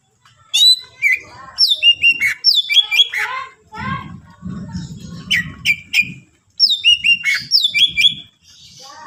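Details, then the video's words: Greater green leafbird singing to provoke other leafbirds, busy run of sharp chirps, slurred whistles and squeaky notes, with a low rumble of background noise or voices partway through. "cucak ijo gacor full isian mewah rayu c ijo lain bunyi"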